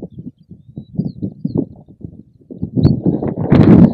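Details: Black grouse in the uplands, heard over the wind: a low, rolling bubbling of rapid throaty pulses that swells louder toward the end.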